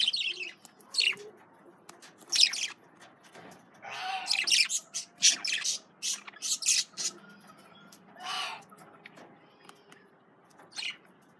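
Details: Several male budgerigars chatter while eating carrots: bright, scratchy chirps and harsh squawks come in uneven bursts, busiest in the middle, with brief quiet gaps.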